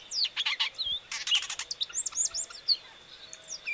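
Variable oriole singing a rapid jumble of bright chirps and short whistled slurs, high-pitched and busy, over a thin steady high insect-like hum.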